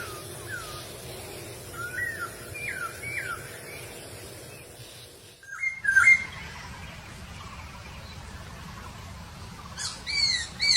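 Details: Masked laughingthrush calling in the wild: a series of whistled, down-slurred notes in quick succession, then a break followed by sharper, brighter chirps near the end against a noisy background.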